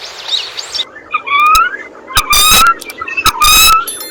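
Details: Eurasian coot giving short nasal, rising calls mixed with abrupt explosive bursts, two main bouts about two seconds apart, with faint higher chatter at the start.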